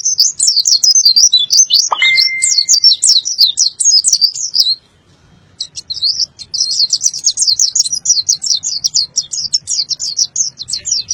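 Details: Caged white-eye from Boyolali, Indonesia, in full song with mouth opened wide: a rapid, high, continuous twittering roll, briefly interrupted near five seconds, with one sharp sliding whistle early on and a faint low hum beneath.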